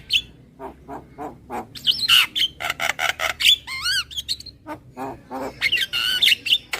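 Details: Kenyih-style lure sound of the Javan myna, a busy jumble of rasping chatter mixed with wavering whistled notes and a few rising and falling slurred phrases.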